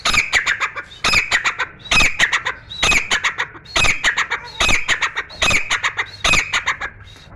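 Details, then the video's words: Grey francolin singing nonstop inside a room: loud, harsh, ringing phrases of several quick notes, each phrase repeated roughly every 0.8 seconds in a steady series. "Grey francolin Dakhni Teetar song"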